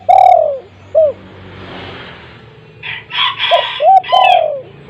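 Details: Loud-voiced spotted dove used as a lure: low rounded coos at the start and end, separated by a stretch of hiss and a rougher, higher chattering sound.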